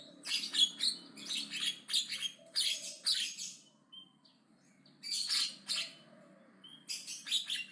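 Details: Javan myna singing loud, aggressive chatter: clusters of harsh, scratchy notes delivered in rapid bursts, with a pause of about a second before the rasping resumes twice more.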